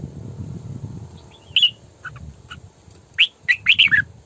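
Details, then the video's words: Female red-whiskered bulbul singing as a decoy in sổ bọng căng style: a bright slurred whistle and scattered soft notes, then a fast run of four ringing, warbled chirps, over low rumbling background noise. "Tiếng Chim Chào Mào Mồi Hót Sổ Bọng Căng"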